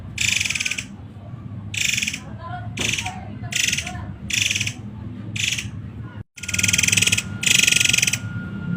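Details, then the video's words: Muray Air singing a masteran song in the rapid-fire 'tembakan rapat' style: harsh, broadband rattling bursts of about half a second, fired in quick succession with short gaps, over a steady faint hum and low background rumble. "SUARA MASTERAN BURUNG MURAY AIR TEMBAKAN RAPAT"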